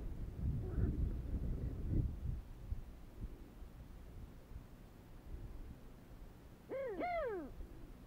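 A sandgrouse gives two quick, arched, nasal notes close together near the end, after low rumbling and a few dull thumps.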